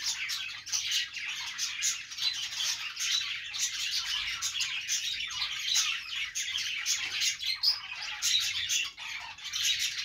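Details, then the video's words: Continuous high-pitched budgerigar chatter: overlapping chirps, rasps and quick tweets from several birds form an unbroken busy babble, with occasional louder clicking notes. "budgies sounds"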